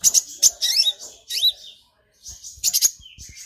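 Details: Brown-throated sunbird in excited, provoked song with a golden grasshopper mimicry fill, pouring out rapid high chips and sweeping slurred notes, a brief pause, then a renewed burst of sharp twittering.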